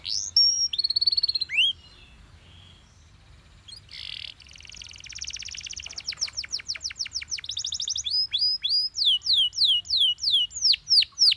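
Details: A yellow Belgian canary sings: sweeping high whistles, a pause, a rough buzzy stretch, then a long run of quick descending whistled notes repeated about three per second, growing louder.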